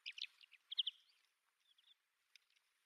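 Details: Migrating red-capped lark, a passage visitor on Yonaguni Island, Japan, gives short, dry, high chirping notes in quick clusters, followed by fainter scattered chirps in otherwise quiet surroundings.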